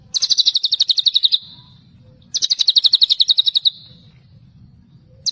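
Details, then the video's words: White-rumped shama singing in the tembakan celilin style, with two loud, rapid trilled bursts of evenly spaced piercing notes that trail off at the end, separated by pauses filled with a faint low rumble. "MURAI BATU TEMBAKAN CELILIN MANTAP BETULLLLLL!!"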